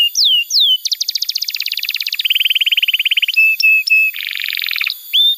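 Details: Canary song used as a tutor for young canaries, mixing descending whistles, a steady rolled trill, rapid even pulses, clipped notes and a buzzy chatter.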